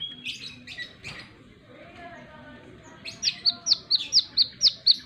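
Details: Soft, low chatter gives way to a plain-throated sunbird's energetic wiceh song, a steady run of about nine shrill, clipped, downslurred chips.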